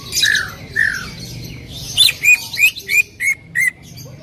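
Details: Greater green leafbird lure recording for prompting another leafbird to sing: two slurred, husky notes, then a rapid run of six bright, sharply downslurred whistles.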